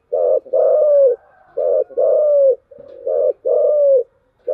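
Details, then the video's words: Spotted dove, 'giọng thổ chiêu gù' style cooing: repeated paired phrases, a short deep coo then a longer, slowly falling coo, rolling on steadily with barely any gaps. "cu gáy/ cu gáy giọng thổ chiêu gù"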